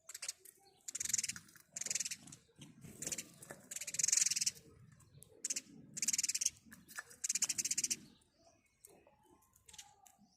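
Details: Morning chirping of a house sparrow: loud, buzzy, rapidly repeated chirp bursts in about eight runs of half a second to a second, with soft low background murmur between them.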